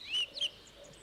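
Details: Song thrush, bird of town parks, suburban and country gardens, orchards and hedgerows with a clear, repetitive song, giving two quick, clear whistled notes a quarter-second apart, followed by faint high chirps over a quiet background.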